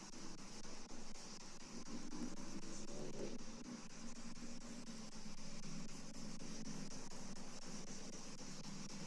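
Steady low mechanical hum, like a fan or an idling vehicle, fills the recording, with no clear animal calls.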